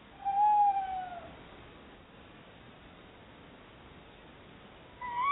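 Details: Pair of tawny owls exploring a nest box in Somerset as a possible new nest site, chattering between themselves: a smooth, level tonal note, silence, then a louder rising call at the end.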